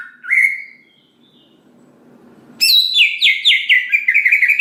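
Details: Greater green leafbird song meant to provoke other leafbirds to sing: one rising whistle, a quiet hissy gap, then a dense burst of rapid, warbling, descending whistled notes.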